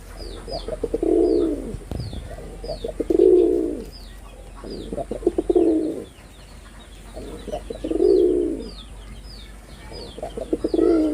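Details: Male red-bordered wild pigeon performing, giving deep rolling coos in bouts of about a second, repeated roughly every two to three seconds, with faint high chirps of small birds in the background.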